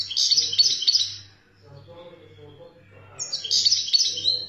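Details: European goldfinch from Algeria, a wild-type bird, delivering two bursts of high, liquid twittering about three seconds apart, separated by a pause with soft background murmur and constant low hum.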